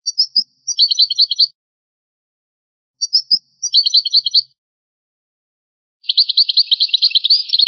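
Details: European goldfinch on a rare old recording of traditional goldfinch song: three bursts of bright, rapid twittering, each opening with a few sharp chips and then running into quick buzzy trills, separated by silent pauses.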